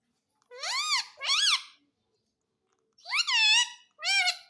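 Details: Pet talking parrot indoors saying words like mummy and papa: four loud, harmonic, speech-like syllables in two pairs, each pair rising then falling in pitch, separated by about a second of silence in a quiet small room.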